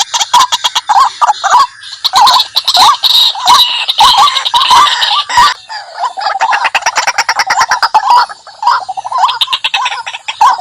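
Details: White-breasted waterhen lure recording: rapid, raucous croaking and chattering calls in irregular bursts, overlapping voices with sharp clicks throughout.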